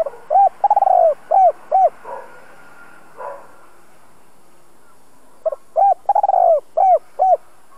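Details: Decoy spotted dove with a fine two-ending voice for training newly trapped doves, giving two full phrases several seconds apart, each with soft lead notes, a bubbling rolled coo, and two hollow closing coos.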